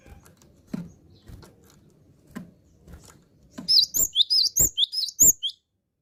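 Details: After a few soft knocks and rustles, a gelatik batu (cinereous tit) in strong song bursts into about two seconds of bright, high-pitched whistles. Each short note swoops up and down, with sharp clicks between them.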